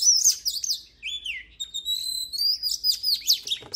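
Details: Oriental magpie-robin song for voice training: a rapid stream of high clear whistles, upslurred and downslurred notes and a long drawn whistle, continuous and loud.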